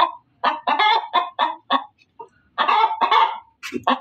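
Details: Female chicken cackling: a few quick harsh clucks, a pause, then two longer, strained squawks followed by short clucks.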